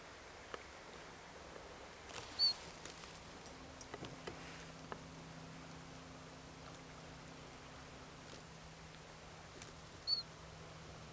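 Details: Siberian Chiffchaff (Phylloscopus collybita tristis) ringed at Flommen, Falsterbo, Sweden, on 10 October 2010: two short, high, piping single-note calls about eight seconds apart over a steady low hum and scattered faint clicks.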